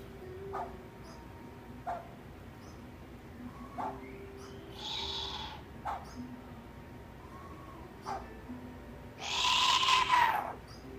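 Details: Captive Southern white-faced owl at an owl cafe in Japan, calling in a monster-like voice: two harsh, raspy, hissing bursts, the second louder and longer, over a low indoor hum with faint short chirps.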